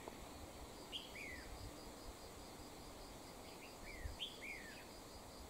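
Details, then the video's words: Wild red-whiskered bulbul calling near a trap with a decoy bird, a short series of clear whistled notes dropping in pitch, given in two bursts, over steady insect buzzing and background hiss. "Bẫy chào mào"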